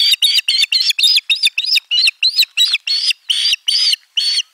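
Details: An osprey chick calls from inside its egg at a nest-camera nest in Finland on 3 June 2022, giving a rapid series of high, sharp chirps.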